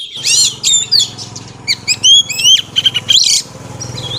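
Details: Singing female Oriental magpie-robin, trying to stimulate males, pours out quick sliding whistles and short chirps over a steady low hum.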